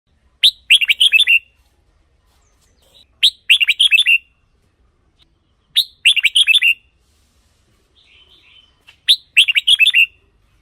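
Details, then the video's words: Red-whiskered bulbul song played to excite caged birds: four bright, clear phrases of quick whistled notes, each about one second long and starting with a sharp rising note, repeated roughly every three seconds in near silence. "เสียงนกกรงหัวจุก สำหรับต่อ หรือ เปิดให้นกคึก เสียงเพราะๆ"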